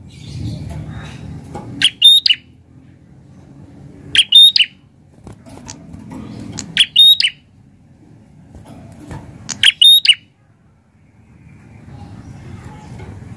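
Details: Prinia in full, lively song repeats a high, sharp phrase four times, spaced about every two and a half seconds. Each phrase has a rasping note, a short level whistle and a closing chip. Faint low hum fills the gaps.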